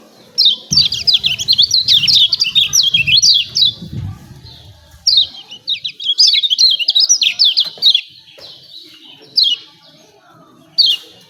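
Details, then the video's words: Lemon-bellied white-eye in 'ciak ciak' mode, played to train and provoke birds to sing. Rapid runs of high, jerky chirps come in two long bursts, then single short phrases, with low rumbling background noise early on. "CIAK CIAK JOSS KECIAL KUNING AMPUH"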